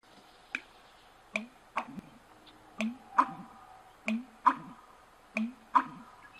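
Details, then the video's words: American Bittern pumping: sharp gulping clicks followed by low hollow thuds, in a repeating three-part beat about every second and a half. "American Bittern pumping"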